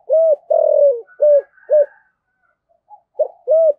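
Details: Spotted dove cooing in the local kích bổi style, used to lure wild doves, 2023: clear, mellow, hollow coos, some long and slightly falling, others short and rounded, delivered in quick groups with a brief pause midway.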